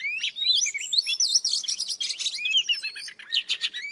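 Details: Oriental magpie-robin, an old wild bird, in morning song: bright whistles and looping slurred phrases mixed with harsh buzzy bursts, delivered without pause.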